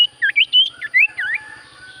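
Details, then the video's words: Common Iora (sirtu cipoh) giving a brief burst of chirpy, twisting whistled notes in quick succession, fading into quiet. "Burung sirtu cipoh gacor suara paling Top cer sirtu cipoh diam langsung nyaut"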